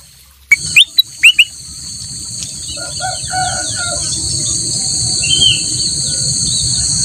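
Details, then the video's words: Kutilang emas in full song, a loud recording for training other songbirds: four sharp, rising whistled notes in quick succession, then softer warbling under a steady high insect drone. "kutilang emas gacor buat masteran burung lain"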